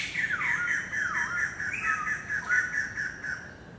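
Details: White-crested laughingthrush, recorded 27 January 2014, giving harsh, nasal squawks in a near-continuous chatter, with a few dipping notes about every second.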